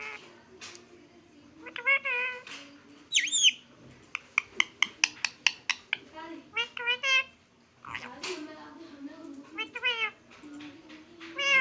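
A parrot gives harmonic whistles and a cat-like mew, with a rapid series of sharp clicks.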